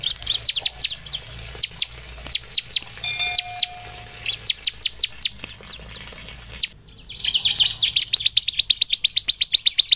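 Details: Ciblek semi (bar-winged prinia) song as a singing lure: spaced high chips with a brief steady tone in the middle, then a brief gap followed by a very rapid, even trill of sharp notes.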